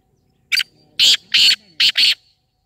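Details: Black francolin calling, from a mixed recording used to make a newly kept francolin start calling: a clipped rasping opener followed by four broad, harsh, scratchy notes in quick succession, with a faint low hum between the notes.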